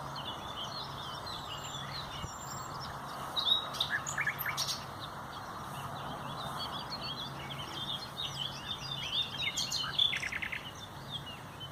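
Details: Common nightingale singing on 30 April 2021: scattered short high chirps and brief rapid note bursts, with pauses between phrases and a low steady hum underneath.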